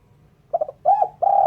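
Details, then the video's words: Spotted dove, clean luring recording: a fast triple stutter of soft notes, then a drawn mellow coo and the start of another long coo, over a faint low hum. "Suara Burung Terkukur/Derkuku bersih cocok untuk PIKAt."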